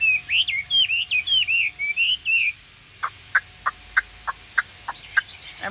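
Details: Caged, pure-bred Chinese Hwamei with blue-green plumage, just bathed, singing naturally with no other bird present and singing even while the cage shakes; rich looping whistled phrases, then sharp evenly spaced notes about three per second.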